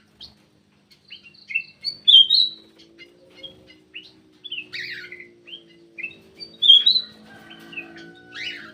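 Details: Lure call of a black-crested bulbul, with scattered sharp chirps and clear slurred whistles in uneven phrases over a faint steady low hum.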